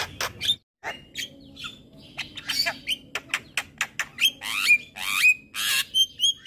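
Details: Morning song of a Javan myna, a string of loud harsh rasping notes about twice a second, broken by clear whistled slurs and a brief silent pause near the start.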